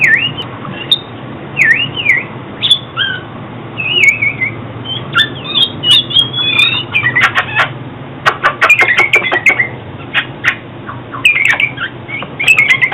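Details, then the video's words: Oriental magpie-robin song used for trapping and training: varied whistles and twitters early, then a run of sharp clicking ticks and high chirps, continuing to the end over low hum. "Tiếng chích chòe than chuyên dùng đi bẫy và luyện giọng chim hót hay mỗi ngày"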